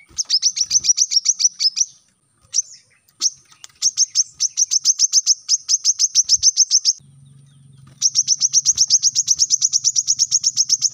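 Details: Brown-throated sunbird, a tutor recording for captive birds: long runs of rapid, shrill chipping notes broken by brief pauses and a few scattered single notes, with a low hum in the background.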